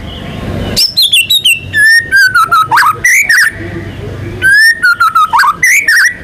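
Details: White-rumped shama in strong song, pouring out descending whistled glides, sharp high ticks and swooping slurred notes in quick, varied bursts, with a short hissy pause midway.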